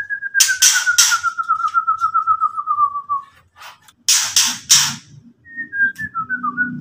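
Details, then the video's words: Murai batu, the white-rumped shama, delivers a long falling trill of rapid notes overlapped by three harsh rasps, then more rasps and quick whistles over low background rumble. "KETREKAN BURUNG MURAI BARU BUAT LAWAN EMOSI"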